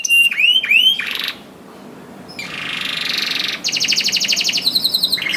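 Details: Canary in full song as a trigger for slow-singing canaries: two swooping whistled notes, a short pause, then a buzzy roll and a fast rhythmic rattle of clipped notes.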